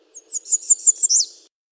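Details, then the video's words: Song of an American redstart, a run of high sibilant notes with a brief lead-in, ending in a downslurred accent. "American Redstart Singing - Candelita Norteña Cantando"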